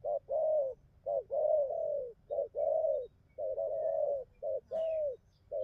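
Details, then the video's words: Dense run of spotted dove coos in the bai ngoai style, short notes and long slightly arched coos tumbling close together, with a faint high chirp from another bird near the end. "bài ngoài như máy,nước gù tốt"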